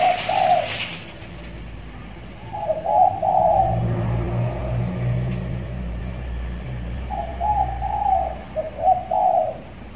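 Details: Six-month-old trained spotted dove, caged and tied, now calling often; low cooing phrases at the start, middle and end, with a steady low engine hum between them and a brief rustle at the beginning.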